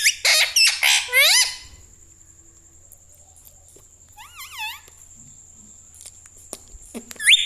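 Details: Pet green parrot, said to say "mummy" and "mithu", indoors: a burst of harsh, crackly squawks and swooping syllables at the start, a wavering nasal phrase midway, and a final rising call, with a steady faint high electronic tone behind.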